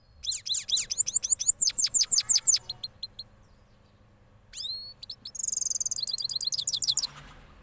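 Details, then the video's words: Cross goldfinch after moulting from Parachinar delivering rolling song: a long run of fast high repeated notes, a pause, then rising whistles and a dense buzzy trill. "Cross Gold Finch Part 3 After Moulting Rolling Songs"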